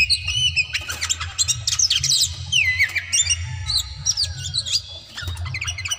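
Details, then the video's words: Oriental magpie-robin (kacer daput) pouring out an aggressive rival-provoking song of harsh squawks, twisting whistles and quick chips, dense and unbroken, above a constant low rumble. "dijamin kacer langsung tarung konslet,KACER NGOTOT FULL TEMBAKAN"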